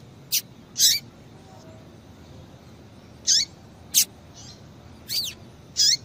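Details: Female double-collared seedeater calling to excite a male: high, sharp chips and short notes with a curving lower tail, about six across six seconds, irregularly spaced, background otherwise quiet.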